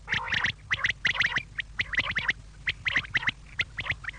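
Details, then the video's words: Evening quail call used to bring quail running: rapid clusters of sharp, clipped notes, each group of three or four following closely on the last through the whole stretch, with a soft steady hum underneath. "شام کیلئے بٹیر کی صاف آواز"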